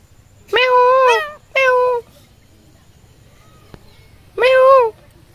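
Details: Indian ringneck parakeet talking, mimicking human speech: three drawn-out, nasal, meow-like notes, each wavering and gently rising and falling, with quiet pauses between.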